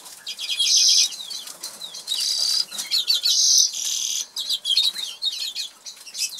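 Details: Norwich canaries, two in a cage in an English aviary, eating and singing: varied high chattering trills and buzzy rolled phrases come in short bursts, mixed with light rustling and pecking.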